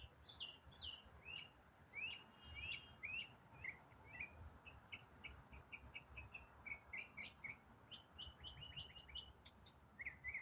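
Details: An autumn songbird pours out an unbroken, complex song: rapid downslurred whistles and sharp chips, some phrases repeated several times in quick succession, over a steady high-pitched insect ticking and soft background rumble.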